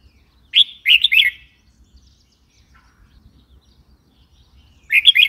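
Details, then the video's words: Red-whiskered bulbul repeating a bright, bubbling phrase of three quick slurred notes; a second phrase starts about four seconds later, with faint low background rumble. "Red whiskered bulbul call 04"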